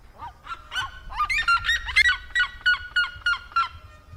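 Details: Wild birds calling freely in nature: a rapid series of about a dozen short, nasal, honking notes on a steady pitch with brighter overtones. The notes come several per second and peak in the middle of the sequence.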